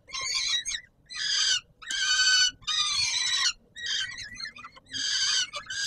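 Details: At feeding time on Warsaw's Palace of Culture and Science, Poland, 17 July 2022, a peregrine falcon gives rough, scratchy screeching calls in uneven bursts, some harsher and more broken, roughly one per second.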